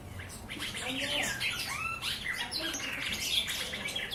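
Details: Dense chorus of wild birds with overlapping high chirps, swooping whistled slurs and squeaky notes, several birds calling at once almost without pause.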